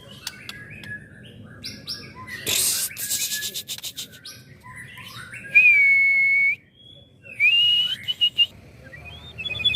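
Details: Young white-rumped shama, a contest candidate fit to serve as a tutor bird, gives scattered chirps, a harsh noisy burst, then a long steady whistle and a rising whistled phrase, with faint background clatter.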